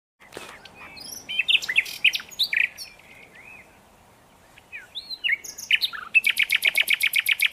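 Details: Common nightingale singing: varied whistles, slurred notes and sharp chirps in bursts, ending in a fast run of about fifteen rapid repeated clicks.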